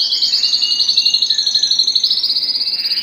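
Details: Canary song played to excite birds for mating: a continuous, very fast high trill of evenly repeated notes, roughly four pulses a second in loudness, with a faint lower whistle.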